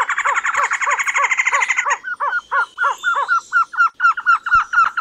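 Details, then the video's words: Fast chattering run of stacked notes from a trogon that breaks into a slower series of separate arched calls, later turning into sharper rising-and-falling notes repeated about twice a second. "THE BEST TROGON SOUNDS COMPILATION"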